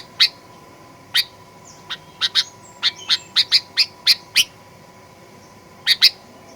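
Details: Sooty-headed bulbul lure recording in fighter style, meant to provoke birds into aggressive singing: sharp, short chirps repeated irregularly, several in quick pairs, over a steady electrical hum.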